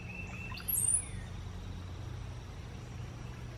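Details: Cowbird, a bird said to follow cows in the field, gives a low gurgling phrase followed by a thin, very high whistle sliding upward, over a steady low rumble of background noise.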